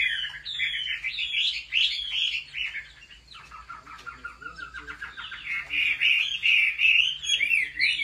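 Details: A Chinese hwamei, kept and trained at home, sings combatively, pouring out loud rich whistled phrases of quick slurred notes rising and falling without pause, over a faint low electrical hum.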